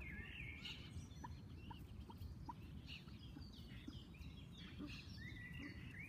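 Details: Common moorhen chicks giving thin, high-pitched peeping and squeaky notes, some sliding upward, scattered through the recording alongside a row of short, lower ticking notes, over steady low rumbling background noise.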